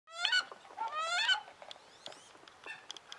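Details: Angry female wood duck in winter, recently moved to another pond and kept with mandarins and call ducks. Two loud, rising squealed calls with rich overtones fill the first second and a half, followed by fainter scattered notes.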